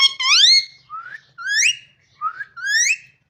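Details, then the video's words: Parrot vocalizing: four or five separate rising whistles, the first long and strongly sweeping upward, the rest shorter upslurs with short silences between. "Amazing parrot talking and voice"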